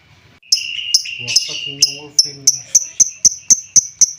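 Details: Lovebird calling to stir up quiet lovebirds into singing: sharp, piercing high chirps repeated about four times a second in a steady run, with a brief lower buzzy, murmuring sound underneath in the first half.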